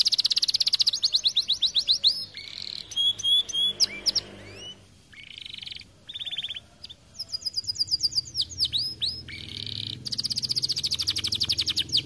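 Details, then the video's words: Canary described as 'gacor' (in full, lively song) gives a long varied song: rapid high trills, clipped whistled notes, falling slurred phrases and buzzy rolls. Phrases change every second or two with brief pauses between. "Kenari gacor cocok"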